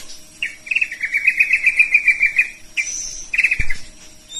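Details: White-rumped shama of the Medan variety singing: a fast, steady run of repeated chirping notes lasting about two seconds, then short chirpy bursts mixed with thin, high whistles, over a faint steady background hum.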